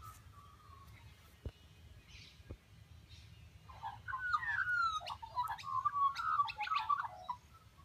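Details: In the morning at Byron Bay, Australia, a wild butcherbird sings rich, fluted, mid-pitched phrases that tumble up and down for about four seconds, after a quiet opening with a faint whistle and two sharp taps.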